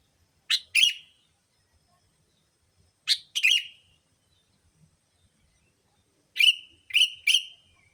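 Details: Sooty-headed bulbul lure calls for attracting bulbuls: two harsh chirped doublets, then a quicker run of three buzzy chirps, all in a clean, quiet setting.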